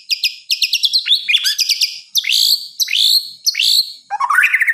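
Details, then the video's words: White-rumped shama at night giving high trills and rapid notes. These are followed by loud upward-sweeping whistled slurs and a closing burst of quick chattering notes. "Suara Kicauan "MURAI BATU" di Malam Hari"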